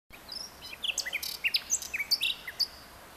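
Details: Common nightingale singing at Atatürk Arboretum, Istanbul: a rapid, varied phrase of sharp high chirps, whistled slurs and clicking notes packed densely over about three seconds, with a steady faint hiss of background noise.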